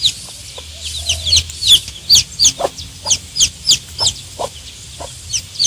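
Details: One-day-old baby chicks peeping busily: shrill, high, falling chirps tumbling out several times a second in loud, uneven bursts, with faint knocks and a low background hum.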